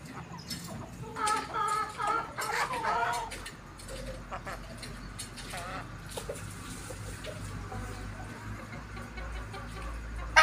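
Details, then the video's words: An Aseel or Desi rooster in a crowing contest gives a hoarse, broken crow lasting about two seconds, followed by quieter clucks over faint background noise. "Aseel VS Desi Crowing Competition"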